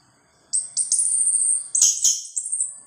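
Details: Orange-headed thrush in teler bongkar isian style, loud and persistent: after brief quiet, a run of very high, thin sustained whistles broken by a couple of sharp clicks, ending in fading high trills.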